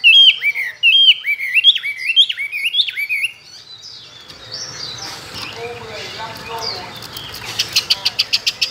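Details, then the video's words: Caged Chinese hwamei, tame and kept two years, singing many wild-type phrases for singing contests: a bright series of looping upslurred whistles, then softer jumbled notes and a closing run of sharp rapid ticking. "Họa mi thuần nhiều giọng rừng,chim đấu hót tốt"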